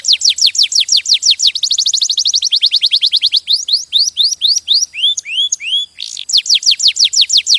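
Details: Canary singing a loud, high song of fast repeated downward-sweeping notes. The notes run in quick trills, then shift into slower rising whistled phrases with changing note shapes. There is a brief pause before the rapid trill resumes. No other sounds.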